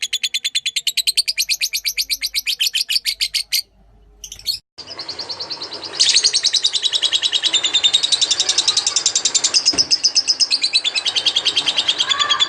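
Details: Lovebird in lively song for magpie-robin training: a long stream of rapid, shrill chirps, a short break with a couple of clicks, then a louder, denser, buzzier chattering that continues to the end.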